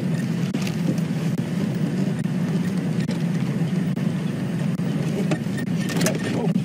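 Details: Loud low vehicle engine drone with scattered clicks and knocks, and no animal voice.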